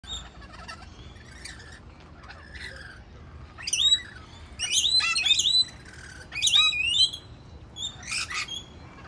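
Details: Wild rainbow lorikeet busily giving harsh, screechy chattering bursts mixed with high squeaks, in uneven runs of about a second, with quieter twittering between them.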